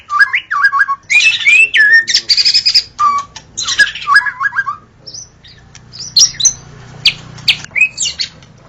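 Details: Dawn song of a white-rumped shama, used as a lure for the species: dense run of whistles, chips and harsh rattles, then sparser high sharp notes toward the end.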